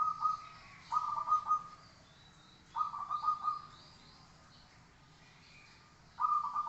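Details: Zebra dove song used as a training recording: three low cooing phrases, each a quick run of pulsed notes sliding into a held tone, separated by pauses of one to two seconds, with faint hiss behind.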